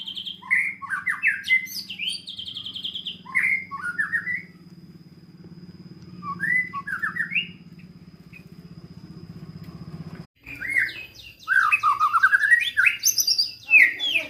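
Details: Murai batu, the White-rumped shama, delivering 'isian mewah' song: separate bursts of bright whistled notes and rising-falling slurs with short pauses, a steady low engine-like drone behind, then a louder continuous whistled stretch near the end.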